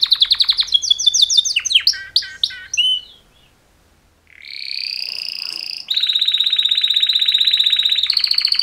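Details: Male canaries' mating song: a fast pulsed trill, a burst of varied whistled slurs, about a second of silence, then a rising buzzy note and a long even rattle.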